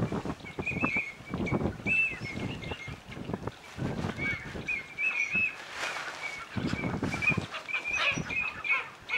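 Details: Eurasian oystercatchers at WWT Slimbridge, 1 March 2011, around 11:30 a.m., give shrill, piping calls in quick overlapping runs, with steady low rumbling wind or surf underneath.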